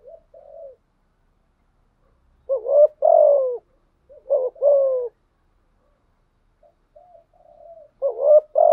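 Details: Decoy spotted dove cooing continuously, with soft short hoots followed by three loud phrases, each a quick double rise then a drawn-out descending coo, in a quiet setting.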